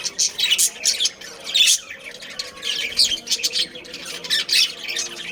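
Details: Several budgies from a breeding colony produce harsh, high squawks mixed with chattering chirps in uneven bursts, several louder outbursts standing out over a steady twitter.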